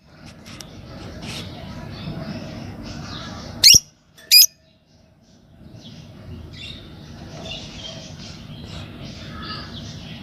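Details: Pet green Fischer's lovebird pair: two piercing, harsh chirps half a second apart in the middle, set among soft, scratchy background chatter and a low hum.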